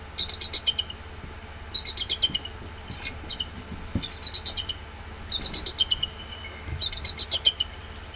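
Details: Male bald eagle at the Decorah nest after a night incubating eggs, calling at dawn around 6:28 am on 23 February 2016 and answered by its mate. Repeated bursts of high, thin, staccato chittering notes, each series falling slightly, spaced a second or two apart.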